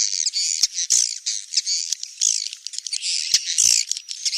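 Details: A steady stream of high, scratchy swiftlet twittering, with overlapping squeaky chirps swelling and fading, punctuated by several sharp clicks.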